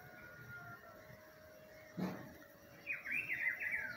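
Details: Rufous-browed peppershrike in spring: one short warbled whistled phrase arriving near the end, preceded by a single dull thump and a faint steady tone in the background.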